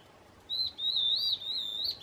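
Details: A single Stripe-backed antbird (piu-piu, tem-farinha-aí) gives a sustained high whistle about a second and a half long. It undulates smoothly, with small peaks and dips, against faint low background hum.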